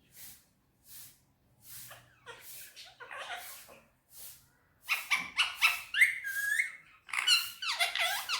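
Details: Talking Indian ringneck parakeet indoors in Urdu/Hindi: soft breathy puffs at first, then a louder run of rapid, warbling speech-like syllables with upward and downward sweeps.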